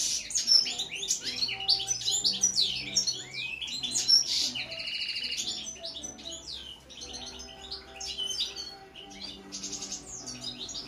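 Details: Goldfinch singing a continuous rapid twitter of liquid trills, buzzy notes and quick chirps, loudest in the first half then softer, with a faint low background hum throughout.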